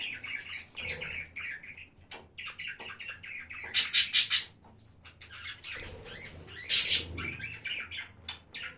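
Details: Several budgerigars in a pet colony, early January, chatter in fast warbling phrases of squeaky, buzzy notes, broken by bursts of loud harsh rustling around the middle and again later.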